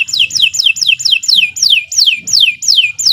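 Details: Canary song played to prompt birds to sing: about ten sharp downward-swept whistled notes repeated steadily, roughly three per second, over faint low background noise.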